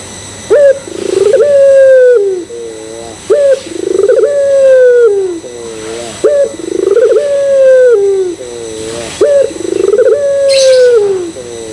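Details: Barbary dove of the puter pelung type calling to draw other doves into cooing: four repeated phrases, each a clipped upslurred note, rolling pulsed trill, long falling hoot and low doubled tail; a brief hiss near the end.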